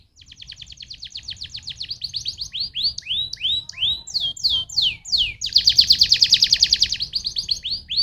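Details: Canary song to stimulate others of its kind: a rapid trill building in loudness, rising and descending whistled slurs, then a loud intense buzzy trill of quickly repeated notes.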